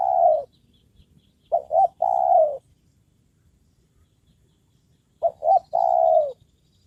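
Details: A spotted dove kept as a trained decoy for trapping wild birds calls steadily. It gives a long falling coo, then two quick short notes and another long coo, with the pattern repeating after a silent gap of a few seconds.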